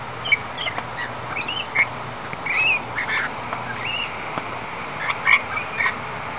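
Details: Several wild rainbow lorikeets in the rain at the Gold Coast, Australia, giving scattered rasping screeches and brief chirps, some overlapping, against continuous rain noise.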